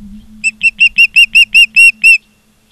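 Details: Osprey at its nest in Charlo, Montana, 16 September 2023, 16:05: nine high, clipped whistles that start short and grow longer and louder, ending abruptly after two seconds, with a faint low hum beneath.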